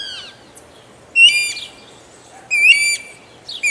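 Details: Guira cuckoo song of strident, overtone-laden whistles, each rising slightly at its close, repeated roughly every one and a half seconds after a brief softer call.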